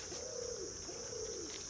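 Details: An imperial pigeon calling repeatedly in Christmas Island rainforest, where red crabs cover the leaf litter, gives two deep, drawn-out coos about half a second each over a steady high insect hum.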